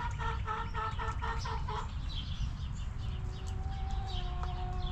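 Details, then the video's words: Hens in a backyard coop give a quick series of clucks for about two seconds, then a long, even, drawn-out tone, with faint bird chirps around them. "Rooster Crowing! Hens Clucking!"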